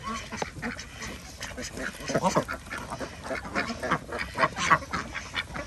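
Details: Farm ducks at feeding time on a village organic duck farm in Andhra Pradesh, kept with chickens and geese; dense overlapping quacks, short and nasal, tumbling over one another in a busy chorus.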